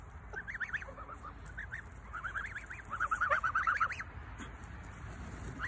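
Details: White geese kept on a farm giving a chorus of nasal, rising honks, several birds calling in quick uneven succession. The calls build into a dense burst of overlapping honks before tailing off, with low farmyard rumble behind.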